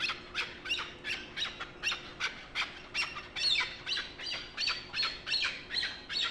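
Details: Hunting chukar partridge calling in loud, rasping bursts, roughly two to three per second, each note sharp and broad with a slightly ringing top, fairly steady throughout with faint background hum.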